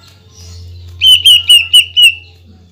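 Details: Greater green leafbird firing a rapid shot of song intended to provoke other leafbirds: five sharp whistled notes at a steady high pitch in about one second, over a low hum.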